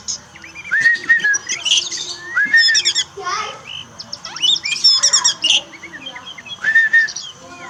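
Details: Pet Oriental magpie-robin song as therapy for a bird that sings little after moulting: clear whistled phrases alternate with scratchy chattering bursts, with a faint voice in the background.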